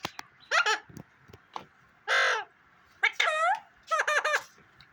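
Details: Pet parrot talking in its natural voice on a morning, giving several short, harsh, speech-like syllables with strong harmonics, mixed with a man's repeated spoken prompts, indoors.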